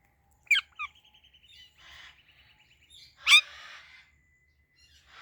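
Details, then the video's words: Ringneck parrot giving two sharp harsh chirps, followed by a soft rapid ticking series, then another loud screechy note and fainter chatter. "Talking Ringneck Parrot Natural Sounds | Parrot Chirping Sounds"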